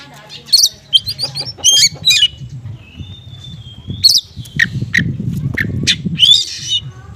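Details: Oriental magpie-robin song in 'konslet' style with small-bird material, meant to provoke a response from other magpie-robins: sharp chattering notes and a thin drawn whistle over low rumbling background noise.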